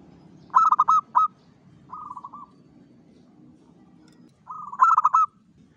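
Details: Zebra dove of a local type in full dawn song, giving loud choppy coo bursts of several notes, a softer rolling purr between them, then another loud stuttered phrase over faint low background hum.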